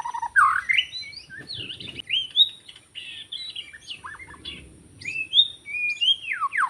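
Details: Forest white-rumped shama singing, recorded during bird trapping: a fluid string of clear whistles, some rising, some falling steeply, with brief chattering notes between them.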